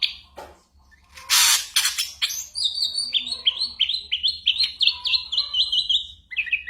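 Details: Ashy drongo tutor song with copied gunshot sounds and other birds' calls, for moulting white-rumped shamas: loud noisy bursts open, then a lively run of high whistled, slurred notes.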